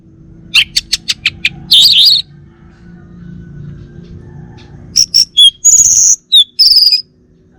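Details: Kept male Bali orange-headed thrush in Singaraja, Indonesia, with a fast series of sharp ticking notes, a buzzy burst, a quiet gap, then high whistled and harsh phrases in quick succession.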